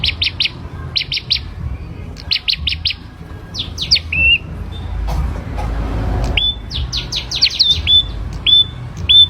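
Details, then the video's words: Ashy prinia raised by hand from a young age, singing busily: fast trios of sharp high notes, then scratchy rising notes and clear level whistles, with a brief rustling noise midway. "Prenjak Kepala Merah Gacor"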